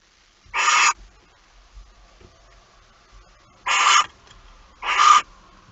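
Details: Barn owl nest, early morning of 26 August 2019, as a mouse is brought in: one harsh hissed screech, a pause of nearly three seconds, then two more close together, with soft rustling in between.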